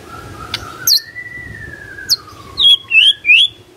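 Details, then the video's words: Magpie-robin producing one long, smooth whistle that rises slightly and then slowly falls, followed by a few short, bright, high-pitched chirps near the end. "Murai Nyaut Gacor"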